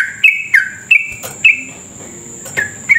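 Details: Sooty-headed bulbul in full, long rapid song, used as a lure to stir other bulbuls into fast singing: short bright notes dropping from high to lower pitch, in uneven bursts, with a steady high-pitched whine behind.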